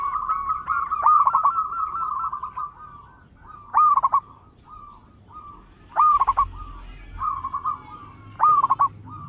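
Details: Active local zebra dove with a big voice, kept as a lure: a long trilled coo, then short stuttering bursts of hooked notes every two seconds, each followed by a softer rolling tail.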